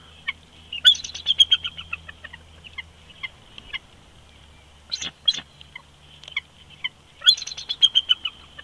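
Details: Winter duet from a bald eagle pair at the nest snag, Big Bear Lake, California, 22 February 2020, on a live nest feed: rapid high chattering note series descending in pitch, sharp squeaks near the middle, a low steady hum underneath.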